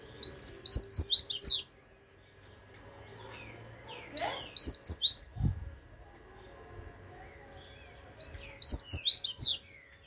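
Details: A double-collared seedeater singing the 'grego' song type gives short bursts of rapid, high, twittering notes, each about a second and a half long, repeated roughly every four seconds, with soft low knocks between.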